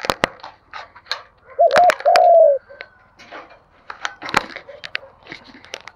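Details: Spotted dove from a recording of male and female doves for stimulating cooing: a single low double-note-and-slur coo phrase sounds amid frequent sharp clicks and knocking noises.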